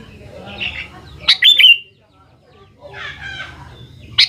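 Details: Sooty-headed bulbul song played as a lure for young birds: two loud, bubbling whistled phrases separated by a pause, with softer high chirps and a steady low background hum.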